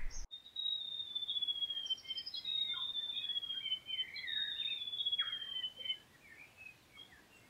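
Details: Grey warbler (riroriro) singing at Kapiti, New Zealand: a long, high, thin wavering whistle lasting about six seconds, with short twittering notes and a lower slurred phrase woven beneath, then fading to near quiet.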